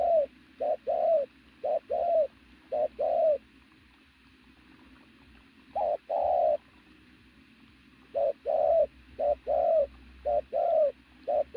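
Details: Powerful cooing from a muscular native decoy pigeon: paired hollow coos in bursts, a pause of several seconds, then the short-long pattern resumes.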